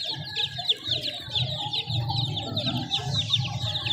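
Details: Many chicks cheep in thin, high, fast-repeated notes, forming a dense chorus over a low background rumble.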